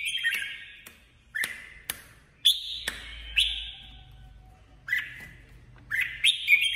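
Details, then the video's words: Red-whiskered bulbul, a female decoy bird, in competitive song in 2021: loud, clear whistled phrases with sharp attacks and sliding notes, repeated in bursts with short gaps, over faint low background noise. "Chào mào hót đấu 2021| chào mào mồi 2021 | chào mào mái"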